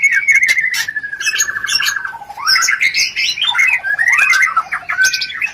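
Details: White-rumped shama lure for stimulating mating; a descending rattled trill followed by varied loud whistles and squawky notes.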